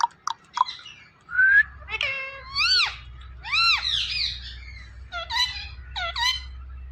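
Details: Talking pet ringneck parrot producing a string of short words: clipped notes, then a series of loud, arching, harmonic syllables rising and falling in pitch, some doubled, with a faint low hum underneath.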